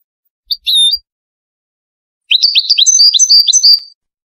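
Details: Moroccan wedani-style goldfinch song meant for teaching chicks: a short twittering call, a pause, then a quick chattering phrase of bright, rising and falling whistled notes ending in a sustained high note.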